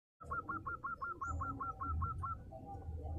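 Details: Local zebra dove kept at home, singing eagerly: a run of about eleven short, evenly spaced cooing notes at a steady pace, over a constant low rumbling background noise.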